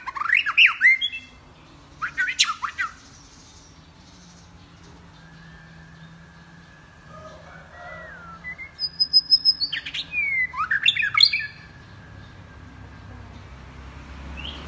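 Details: A captive white-rumped shama sings continuously, switching among wild-sounding voices: loud, varied phrases of rich whistles and sharp rising notes in bursts a few seconds apart, with a faint steady whistle between them.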